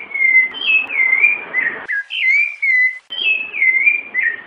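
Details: Rufous-bellied thrush song of the Piedade Senhor type, female calls present; loud fluting whistles sliding down and up, three phrases separated by short gaps.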